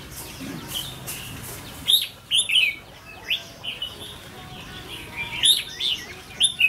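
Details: Decoy red-whiskered bulbul in training, tested for temperament, repeats short chirpy warbled bursts every second or so, each a cluster of sharp bright notes, with quieter gaps between.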